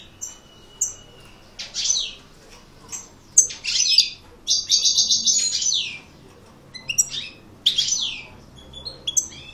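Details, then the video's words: European goldfinch described as an aggressive coupleur, singing with a thin steady whistle, sharp descending chirps, a sustained buzzy rattling trill, and quick twittering notes, in a quiet indoor setting. "Chant maknine Chardonneret Coupleur Agressif"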